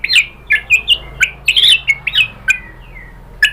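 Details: White-rumped shama vocalising, used as a lure to make birds answer: short, harsh chirps and squeaky whistled notes delivered in uneven bursts, with brief pauses between them.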